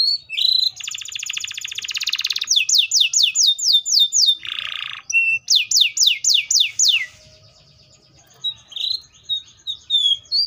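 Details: Loud canary song in varied tours: a dense buzzing roll, repeated fast downward-sweeping notes, a harsh burst, more sweeping notes, then a quiet pause before brighter chirps resume.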